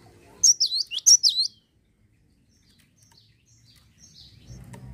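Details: Lure sound of a Java sparrow meant to get other birds singing: a short burst of five or six piercing, swooping chips lasting about a second, then near silence with a low murmur rising at the end.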